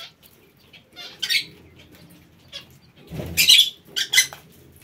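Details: Parakeets in an aviary, scattered loud rasping squawks and chirps separated by quiet gaps, a brief low thud in between.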